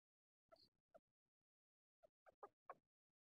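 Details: Red junglefowl male crowing used as a decoy to lure wild junglefowl, hilltop bamboo forest, morning: two short hoarse notes, a pause, then a quick clipped four-note crow, faint in a quiet background.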